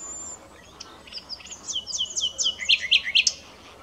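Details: A common nightingale starts with soft high whistles, then builds to a quick series of loud, ringing, down-slurred notes, evenly spaced and strongest at the close.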